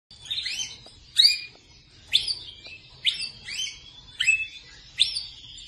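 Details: Persian Rasmi canary bred in captivity, singing repeated bright whistled phrases, each a rising-then-falling swoop with buzzy overtones, delivered about once per second over a faint low hum.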